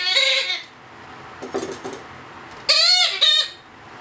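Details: Two-month-old Blue-headed Parrot chick, hand-fed, giving harsh, nasal begging squawks with rich stacked harmonics: one long call, then after a quiet pause with faint soft sounds, two loud rasping calls close together.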